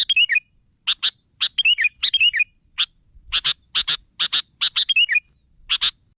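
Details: Sooty-headed bulbul singing with repeated bubbly, descending warbled phrases mixed with clusters of sharp, high, clipped notes, the phrases recurring several times in quick succession.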